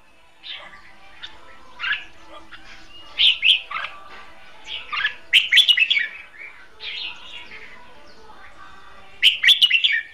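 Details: Red-whiskered bulbul used as a caged decoy for trapping, singing scattered chirps and then fuller bursts of rapid warbled notes, with quiet gaps between phrases.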